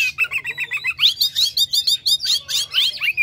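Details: Oriental magpie-robin (kacer), a caged bird, delivering an energetic lure song meant to set other captive birds singing: quick chattering notes repeated several times a second, with harsh squawky phrases and bright whistled slurs.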